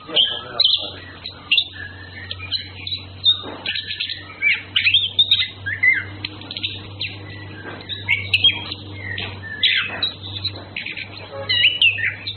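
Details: Male and female Orange-headed thrushes courting; a lively, continuous run of short chirps, whistles and warbled phrases in quick bursts every second or so, over a steady low electrical hum.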